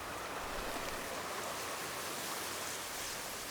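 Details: Dense, even patter of rain or running water fills the recording, with no animal voices.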